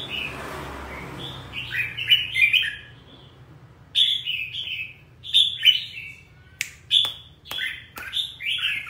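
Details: Red-whiskered bulbul singing in the 'ché' style, described as fired up. Four clusters of quick, liquid, up-and-down whistled notes are separated by pauses. Sharp clicks are heard near the end, and a low hum persists throughout.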